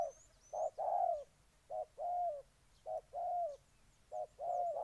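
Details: Spotted dove recorded in Ninh Thuận, Vietnam: low soft coos in pairs, a short clipped note then a longer falling one, repeated steadily, with faint distant high chirps.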